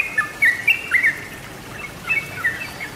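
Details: Yellow-vented bulbul song for luring wild birds: a few brief, bright whistled chirps in two short bursts separated by a pause, over soft hiss.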